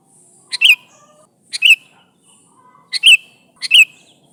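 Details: Sooty-headed bulbul, a lively calling bird, calling its companions in a lure recording: four short, bright chirps, each a quick double note, spaced about a second apart, with a clean, quiet background.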